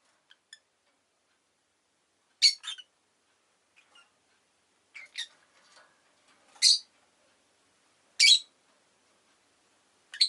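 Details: Rosy-faced lovebird uttering isolated loud, scratchy squawks about every one to two seconds, with quieter clicks and faint notes between them.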